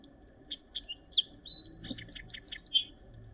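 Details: Song sparrow singing during the last snowy days of April 2023 in Northern Ontario: a few separated introductory notes, then a rapid jumbled run of high chips and trills with a whistled slur, ending on a clear tone, over faint low background rumble.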